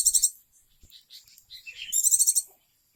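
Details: Oriental white-eye, a pet bird that has since died, singing: a rapid trill of bright high notes opens the phrase, soft twittering follows, then a second loud rapid trill.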